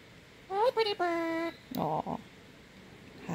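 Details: A male pet parrot named Chewy repeats "Hi pretty bird" in a clear, rising, human-like voice, and a person answers in a lower tone.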